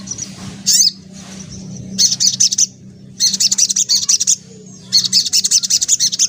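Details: White-breasted woodswallow singing hard in the ngelaper ngriwik manner: a couple of brief squeaks, then three long rattling bursts of rapid, shrill chirps, about a second each, above a faint steady hum.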